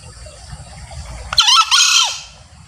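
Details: Male green junglefowl crowing, a call used to lure wild junglefowl when hunting: a short, harsh, two-part burst, a brief rising note then a longer strained screech falling at the end, over a low background hum.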